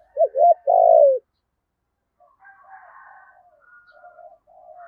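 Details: Spotted dove in the thổ voice style giving urging and calling coos: two quick looping hooted notes, then a long purring coo that falls at the end. Faint low murmuring sounds follow after a silence.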